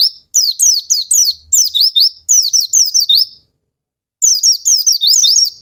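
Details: Lure song of an Oriental white-eye for coaxing lazy birds into singing: bright, high, sweeping chirps repeated in quick runs, a brief silence, then another run of looping whistled notes.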